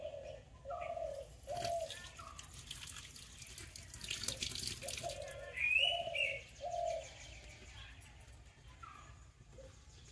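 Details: Spotted dove in Konkan, India, on a summer day, giving soft, low three-note cooing phrases, repeated twice, alongside a brief higher whistle from another bird and faint splashing water; Indian pitta and brown-headed barbet also noted nearby.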